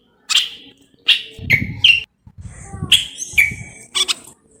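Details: Moroccan common bulbul song of clear, fluty whistled notes in quick phrases, with low thumping and handling noises underneath between the phrases.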